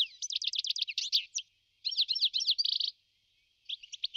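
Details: European goldfinch delivering three bursts of rapid, bright twittering and rattling trills, separated by two short silences, each burst packed with quick repeated tinkling notes.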